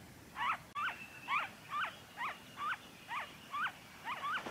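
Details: Noisy friarbird recorded in Victoria, Australia, February 2023: loud, raucous rising-falling notes given in a steady series roughly every half second, with background hiss.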